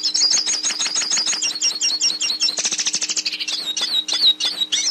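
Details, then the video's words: Training song of the hooded siskin for a captive bird: dense, lively high twittering with a buzzy rattling stretch in the middle, then separate whistled, slurred notes at the end, with a faint background hum. "Canto Pintassilgo - Canto Para Ensinar Seu Pintassilgo Ouça o Canto Pintassilgo"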